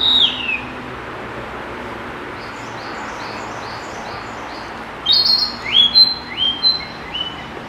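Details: Narcissus flycatcher song recorded at Kiyosato on 15 July 2012; a falling whistle opens, faint repeated soft notes follow, then a clear high phrase of several sweet whistled notes over constant background hiss.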